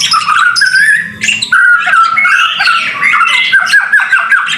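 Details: White-rumped shama in the rain, masteran gacor song: dense, continuous warbling with overlapping whistled and buzzy notes, a steady rich run of varied phrases without breaks.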